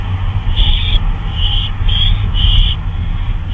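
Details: Owl at night, 2:39 AM on May 26, 2013, out flying about; four short harsh hissing bursts come in quick succession over a steady low rumble of background noise.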